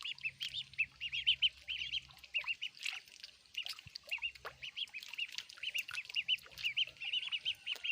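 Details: Feeding ducklings give busy, shrill peeping, short arched notes repeated rapidly with a few squeakier calls and faint clicks.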